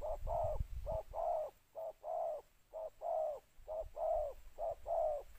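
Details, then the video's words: Spotted dove used as a decoy, calling to lure other doves. Its two-word coo pattern is known locally as คูอ่าง. Low hollow coos come in pairs, a short note then a longer drawn one, repeated steadily about once per second. Brief low rumbling at the start. "เสียงนกเขาใหญ่ ต่อ ขันเรียก คูอ่าง 2คำ"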